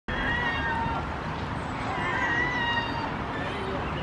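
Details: Herring gulls forming pairs, walking parallel to each other and collecting sticks, give long, drawn-out, plaintive mewing calls that rise and fall gently, over a steady rumble of wind or traffic.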